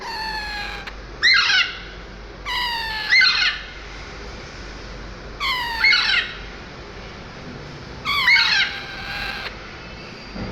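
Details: Parrot making loud, harsh squawks with layered overtones that slide downward. Four bursts come about two to three seconds apart, with a faint steady hum between them.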